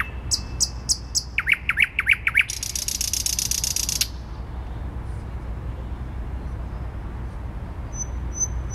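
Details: Thrush nightingale singing in Warsaw city centre, Poland, on 12 May 2020: a run of sharp repeated clicks, then quick descending chock notes, then a long dry buzzing rattle lasting over a second, with low city rumble beneath.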